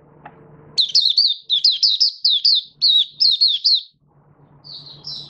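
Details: Malaysian Oriental white-eye kept as a hobby bird sings a run of about a dozen quick, high, wavering whistled notes, evenly spaced, followed by softer drawn-out notes over faint low hum.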